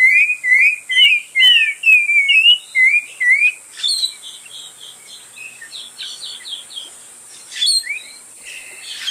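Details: Spot-breasted oriole song: clear whistled phrases near the same pitch, repeated about twice a second, some notes sliding up or down, later softer scattered chirps with a steady high hiss in the background.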